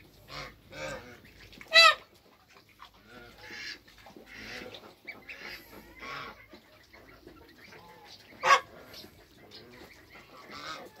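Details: Toulouse goose family in a backyard, mother with hybrid African and Toulouse goslings on their first day; scattered short honks and thin high peeping notes, spaced irregularly, with two sharp clicks.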